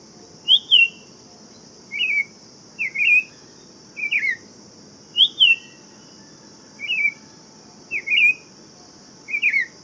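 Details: Buff-throated saltator giving a series of brief, warbled whistles that rise and fall, spaced one to two seconds apart, with a constant shrill insect drone behind.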